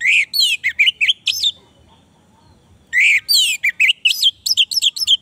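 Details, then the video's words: Orange-headed thrush singing, a lure track for a bird that has gone quiet: two bursts of rapid whistled and slurred notes, mostly high and sweeping, separated by about one and a half seconds of silence. "pancingan Anis merah macet bunyi"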